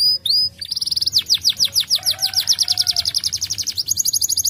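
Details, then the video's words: Canary song meant to stimulate other birds to sing: rapid trills of downslurred notes repeated about three per second, a few upslurred whistles at the start, with a faint low note beneath. "The sound of the canary makes other birds join the sound"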